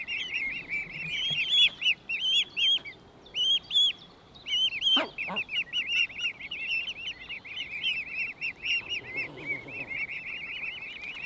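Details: Family of mute swans feeding on water in late May 2023, the cygnets giving a dense chorus of high-pitched, slightly downslurred cheeps, many birds overlapping almost continuously, with a couple of brief splashes or knocks midway.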